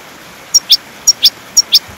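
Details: European goldfinch singing, offered as training material for caged birds: sparse pairs of short, high chirps, each pair a thin tick followed by a brighter upswept note, repeated about every half second.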